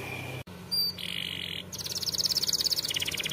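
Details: Canary singing to teach young canaries: a soft whistle, a brief high tone, a buzzy burst, then a fast rhythmic trill that swells in loudness, over a low hum.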